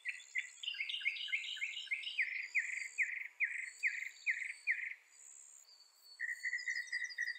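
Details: Song of a northern mockingbird (Mimus polyglottos), North America: a phrase of stacked chirps, then a series of repeated buzzy notes, a pause, and a new quick repeated phrase, all over faint high insect-like hiss.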